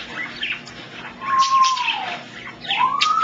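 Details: African grey parrot kept as a pet giving a long, clear whistle that sags slowly downward, then a second whistle rising upward, with rough chatter notes before and between them.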